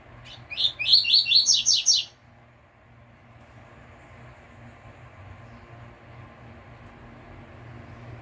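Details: Double-collared seedeater singing pure "tui tui" song, a quick burst of bright, sharp chirping notes for about two seconds, then near silence with faint low background hum.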